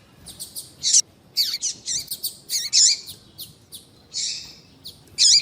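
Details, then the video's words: Double-collared seedeater with female call and tui tui male song, used to excite a male; a dense series of high buzzy, slurred notes with brief pauses between them. "Esquentar coleiro com Piado de fêmea de coleiro e coleiro tui tui cantando"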